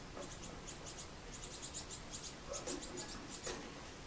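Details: Begging young great tits on 8 June 2018, coming again and again for food: high, sharp chirps in irregular clusters, with a faint lower note near the middle.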